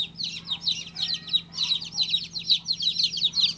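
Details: A newly hatched baby chick peeps insistently, high piercing notes falling slightly in pitch and coming about two or three each second, over a faint constant low hum.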